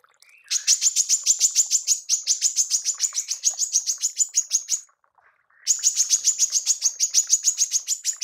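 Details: Female manggar giving tembakan for songbird mastering: a long, fast stream of piercing high chips, a short silence, then the rapid stream resumes at the same pace.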